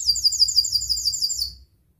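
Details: Canary singing a long, continuous song used as a training lure for young canaries: a quick string of high, down-slurred chirps repeated rapidly for about a second and a half, then it stops, with a faint low hum beneath.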